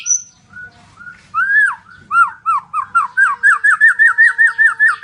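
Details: White-rumped shama, also known as murai batu, in loud lure song: a varied whistled phrase, then a rapid run of repeated downslurred notes about three per second, rising in energy to the end.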